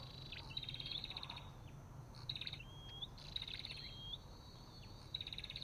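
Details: Olive-backed tailorbird giving buzzy chattering bursts and gently rising whistles, somewhat masked by a constant low drone.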